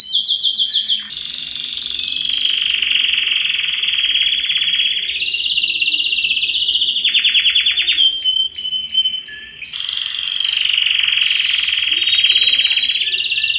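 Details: A yellow canary delivers long sustained buzzy trills, broken by a short run of sharp clicks, then resumes its steady, rich rolling song.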